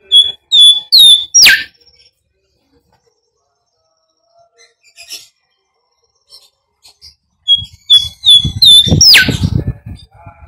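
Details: Bimoli whistling meant as a training lure for birds: a run of high clipped notes and a rapid rising sweep, then a pause and the same phrase again over clinking, music-like low sounds.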